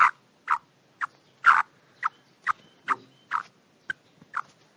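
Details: Black francolin female and chicks giving short, harsh mid-pitched notes, about two per second in an uneven series of ten.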